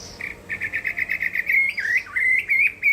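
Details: Chinese hwamei in a singing contest: a fast run of repeated short clear notes, then slurred whistles that swoop down and back up.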